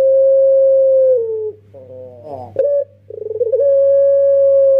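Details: Young puter pelung dove kept as a trapping lure gives a long level coo stepping lower, rolling notes, a short rising coo, then rapid pulses leading into a long steady coo, all over a constant low hum.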